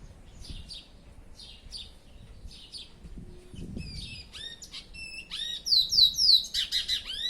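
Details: A chestnut-bellied seed finch (curió) kept by its owner: soft, buzzy trills that build into loud, fast, clear whistled phrases with sharp down-slurred notes. A brief low knock is heard midway.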